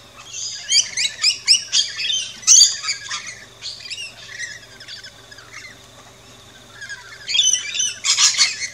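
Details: Rainbow lorikeets chirping and squawking at a backyard feeding station in Australia: dense bursts of shrill, screechy chatter, a quieter stretch, then more shrill squawks.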